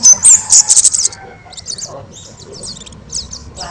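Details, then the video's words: A loud, energetic orange-headed thrush song as a model for training other birds. It opens with a quick run of piercing high whistled notes, then softer, scratchy, varied phrases in short separated pieces. "Kicau Burung Kemade Gacor Suara Super Keras Untuk Masteran"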